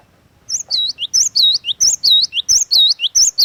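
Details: Cinereous tit used as a lure bird, singing a lively series of loud, clear whistled notes, each a quick high swoop followed by a deeper U-shaped slur, repeated in rhythmic pairs about every half second.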